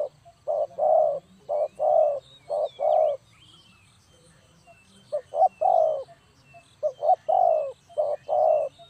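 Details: Spotted dove cooing, recorded as a trapping lure. Two bursts of low, rounded coo pairs with a pause of about two seconds between them. Scattered thin chirps of other birds sound in the background.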